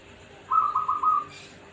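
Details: Local zebra dove from Pekalongan, known as gayer, giving one rapid staccato cooing trill of about eight beaded notes at a steady mid pitch, lasting under a second, over quiet background hiss.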